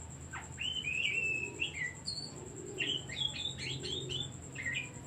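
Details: Lure song of an Oriental magpie-robin, aimed at getting quiet or stressed birds singing: a sustained whistle, then quick bursts of sharp rising chirps and slurred whistles, over a steady high whine.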